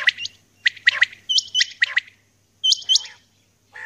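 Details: Female common quail calling in the early morning: sharp chirped notes and paired hooked whistles in bursts, with short pauses between groups.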